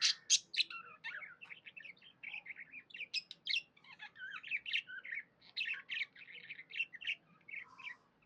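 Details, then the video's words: Happy budgie chirps steadily: rapid, irregular chatter of short squeaky and buzzy notes, several per second, running throughout with little break. "Happy budgie chirping sounds"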